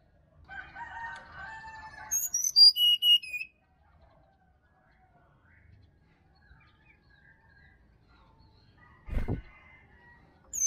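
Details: Wild sirdadu from the Bali forest, used as morning bait for a silent caged bird. A low chattering warble leads into loud high whistles sliding downward, followed by near silence, a dull thump, and the song beginning again.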